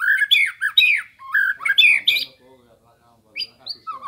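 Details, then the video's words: Training master recording of a white-rumped shama, meant to provoke rivals and teach kept songbirds: a burst of loud, rapid, shifting whistled and harsh phrases, a brief lull, then a few separate rising and falling whistles. "Suara Burung Murai Batu Sambo Bahan Pancingan Lawan Materi Masteran Gacor"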